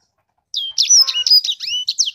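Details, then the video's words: After half a second of silence, a sanger bursts into a short, intense phrase of high whistles, a long rising slur and dense chirping notes, loud and clear throughout. "Burung sanger beneran sangar suara nya"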